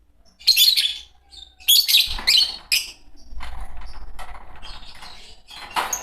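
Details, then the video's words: A green pair of Fischer's lovebirds chirps in shrill, harsh bursts: two loud clusters near the start, a third shorter one, then a softer rasping stretch and a final sharp note. "Lovebird sounds - Lovebird singing & chirping sounds -Green Fischer Pair"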